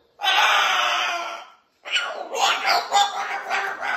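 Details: Pet cockatoo telling his stories: one long, steady harsh screech lasting over a second, a short pause, then a rapid, choppy run of raspy chattering notes.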